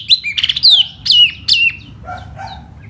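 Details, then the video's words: Laughingthrush singing in spring in a spread-out display style: loud, clear whistled phrases with sharp downward slurs, three strong notes repeated about every half second, then softer lower warbles. "chú tiểu mi hót xoè rất hay"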